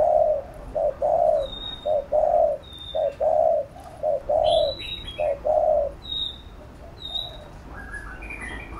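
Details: Spotted dove giving 'thúc gù' cooing to stimulate a lure bird for training decoys: rapid rhythmic run of mellow coos for six seconds, while another bird adds thin high whistles and a brief twittering phrase near the end.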